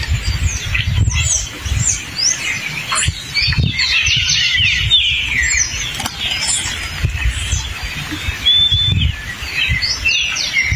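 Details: Hepatic tanager singing in the forest: a busy stream of short whistled and chirped notes around the upper range, overlapping phrases suggesting several birds, with low rumbling background noise throughout.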